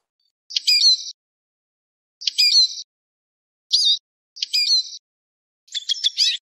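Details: Eurasian siskin lure: five short high phrases, mostly buzzy bursts with a wavy whistled note, spaced one to one and a half seconds apart, ending in a brief trill.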